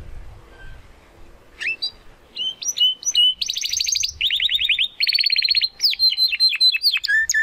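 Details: A young Spanish Timbrado canary, given to a friend, tries out its song: sparse rising chirps build into dense rolling trills at shifting pitches, then clear downward-slurred whistles repeated quickly.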